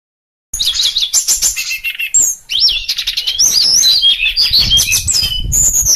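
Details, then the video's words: Sulingan, a songbird, in a fast high song of sweet whistled phrases and sharp chirps, slurred notes rising and falling and packed closely together after a brief silent start. "merdunya suara burung berkicau sulingan"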